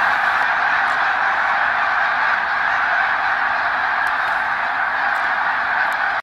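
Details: A vast flock of thousands of migrating snow geese overhead beside the St-François River near the Hemming Falls dam, Drummondville, Quebec, November 2012 in autumn: countless nasal, yelping honks merge into one steady, unbroken roar with no pause.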